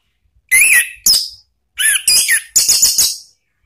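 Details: Orange-headed thrush lure song for cage-bird training, ngeplong style: a series of separate sharp, loud whistled notes and short chirps, five or six bursts with brief gaps.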